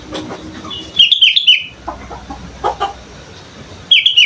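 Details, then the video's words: Young sooty-headed bulbul learning to sing: two short bright warbled phrases, one near the start and one at the end, with softer, lower scattered notes in between. "Kutilang muda belajar gacor"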